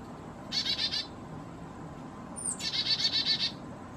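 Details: Black-capped chickadee, possibly a hybrid with Carolina chickadee, fussing at a feeder at 4000 feet in the Great Smoky Mountains in warm weather. It gives two bursts of rapid, buzzy, harsh dee notes; the second opens with a thin high note.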